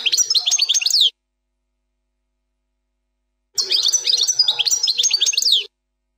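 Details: Plak mine goldfinch song, error-free: two short bursts of bright, high chirps and jingling notes, one about a second long and one about two seconds, with a gap of silence between.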